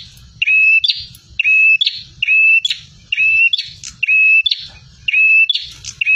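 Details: Fierce, full-voiced song of a bar-winged prinia: repeated phrases of a flat whistled tone sliding into scratchy, buzzy chips, about one per second, steady and insistent, with faint low-pitched noise beneath.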